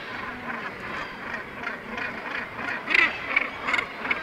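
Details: Northern gannets at their northern colony, Syltefjordstauran, Varanger, Norway. Softer background chatter gives way to several sharp, loud rasping calls near the end.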